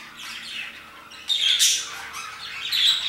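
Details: Parakeet chatter around 2pm: soft scratchy chirps first, then a sudden loud, harsh squawk followed by more shrill notes toward the close.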